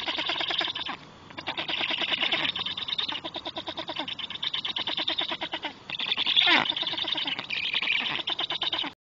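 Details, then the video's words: Black storks greeting as a third young bird arrives at the nest: a dense, rhythmic chorus of wheezy, rasping calls in fast pulses, with a few short pauses and a louder burst near the end. "Oj, żeby się ludzie tak ładnie witali jak bociany czarne!"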